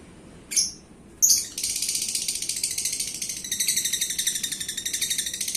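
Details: Pet champion lovebird, described as a paskun bird and as gacor (a keen, frequent singer), gives two sharp high chirps, then a long, fast, buzzy, rattling trill of rapidly pulsed high notes that continues to the end in a quiet room.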